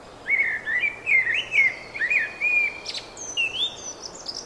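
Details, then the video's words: Bird singing in spring: a continuous warbled phrase of varied mid-pitched whistled notes, some rising and slurred, with a few higher thin notes near the end over a steady background hiss. "Wiosenny śpiew ptaków"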